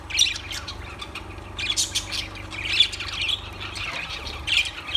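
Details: Lovebirds squawking in rough, high bursts with shrill chirps between them, a constant raspy chatter over low background noise.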